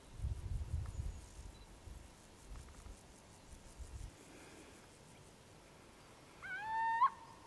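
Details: Little owl (Athene noctua) giving a single rising, whistled call near the end after several seconds of low rumbling noise and faint background sounds.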